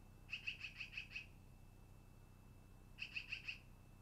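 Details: From a long-eared owl nest on 10-08-2018 in the early afternoon, a burst of six fast high chips, a pause of nearly two seconds, then four more, with a steady electronic whine throughout.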